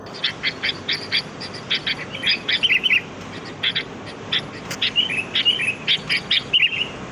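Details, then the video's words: Noisy sooty-headed bulbul chatter, wild and free, used as a lure: rapid bursts of sharp chirps and short bubbly warbled phrases in quick irregular series, with several notes overlapping, against faint background hiss. "Suara pikat burung kutilang"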